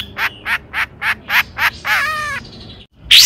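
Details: Long-tailed shrike song meant to stir rival shrikes to sing. Six rasping, evenly spaced notes are followed by a drawn-out nasal note with rich overtones. A loud, harsh burst follows after a brief silence.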